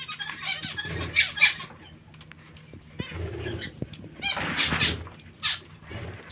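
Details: Zebra finch giving short, nasal, buzzy calls in clusters around the second mark and again from four to five and a half seconds, with soft low rumbling and faint background noise between calls.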